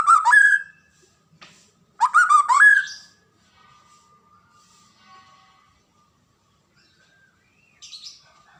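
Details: White-rumped shama (murai batu) singing two loud, rich whistled phrases about two seconds apart, each with slurred rising and falling notes, then faint steady tones and a brief high chirp near the end.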